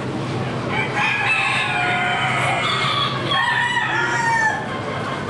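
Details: Many kinds of chickens at the Lorain County Fair; several roosters crow over one another in long, harsh, stacked notes lasting a second or more, set against steady crowd murmur and barn din.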